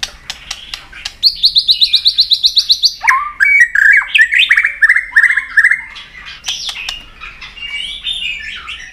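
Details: White-rumped shama singing a long-voiced fighting song with tail-flicking clicks: opening clicks, then a fast high trill of about ten repeated notes, followed by jumbled warbled whistles and a rising whistled finish.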